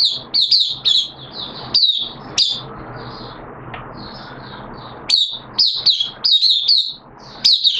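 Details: Caged oriental white-eye singing on 13 September 2022, the second day of a monthly deworming treatment; bursts of high, sweet twittering notes in quick runs, separated by quiet gaps with faint low background hum.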